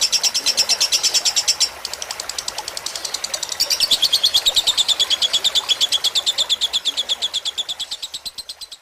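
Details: Long fighter-style lovebird chattering used as tutor material with trickling water: fast, even strings of high chirps. There is a brief pause near two seconds, then a louder steady run that fades toward the end.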